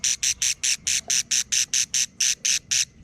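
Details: Budgerigar chicks quarrelling: thirteen loud, harsh, buzzy pulses in quick, fairly even succession, each short and scratchy, over a quiet background.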